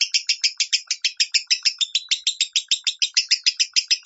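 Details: Lovebird minor-tone song for training other lovebirds: a fast, steady chatter of bright, harsh chirps, about three to four notes per second, without pause throughout.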